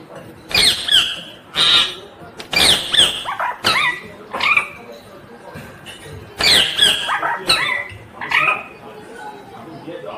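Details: Ringneck green parrot giving loud, rasping squawks, each with a rapid downward slur, in uneven bursts of two or three with pauses; faint background rustle.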